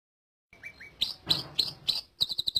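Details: Greater green leafbird song, played for tutoring other birds: two soft rising chirps, then loud sharp high notes at roughly even intervals, ending in a quick run of clipped chips.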